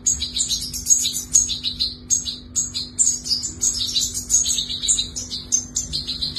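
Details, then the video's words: Young European goldfinch chick being fed, giving a continuous stream of thin, very high chirps in quick bursts, with a steady low hum underneath. "Feeding New Goldfinch!"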